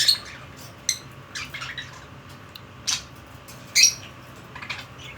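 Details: Pet budgerigar indoors, giving several short, harsh, high squawks and chirps spaced irregularly across the clip, with a steady low hum beneath and a quiet room.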